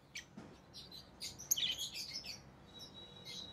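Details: Rosy-faced lovebirds in pet keeping, orange-faced green and red-headed green forms, produce a jumble of thin high twitters and squeaks that tail off into quieter chatter.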